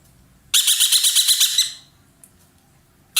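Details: A loud ekek keling roller, an Indonesian hobby bird, delivers one long, buzzy, pulsing rattle of about a second, followed by silence and the start of another burst.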